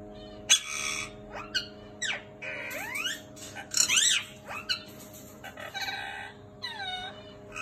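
Turquoise parrots giving sharp high chirps and quick whistled notes that slur up and down, scattered irregularly, over a steady low mechanical hum.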